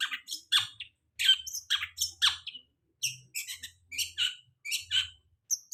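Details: Long-tailed shrike song, meant to prompt shrikes after moulting to sing: bursts of scratchy, chattering notes and thin high chips in uneven groups about a second apart, over a soft low hum.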